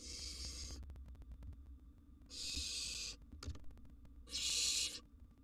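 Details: Rasping, breathy hisses from a wild barn owl nestling at mealtime with a big gerbil in its nest box, three calls separated by clicks and faint rustling.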